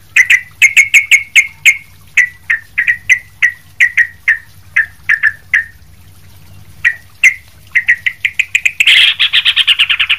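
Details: Sooty-headed bulbul in energetic song, recorded as a training master for other bulbuls: long runs of evenly spaced bubbly notes, a short pause, then rapid repeated notes and a burst of harsher chatter at the end.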